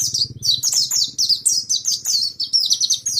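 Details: Pet pleci monty from East Lampung, Indonesia, pouring out a nonstop twittering song of sharp, high, sliding chirps packed closely together, with a faint low rumble underneath.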